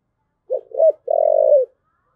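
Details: Spotted dove giving the cooing style locally called thúc gù: two short low hooting notes followed by one longer, slightly wavering coo ending in a falling tail, all in a clean, quiet setting.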